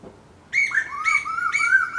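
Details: Eastern koels, four birds; a loud whistled call, a high note followed by a lower rising slur, repeated three times in quick succession after a quiet start.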